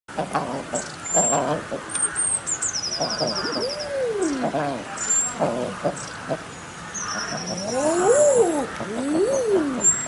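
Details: Common eiders in a zoo setting, where males make odd sounds with a pale pink throat pouch, give soft, rising-then-falling moaning coos, 'ah-OOO', several overlapping; thin high chirps from other birds and a brief voice are also heard.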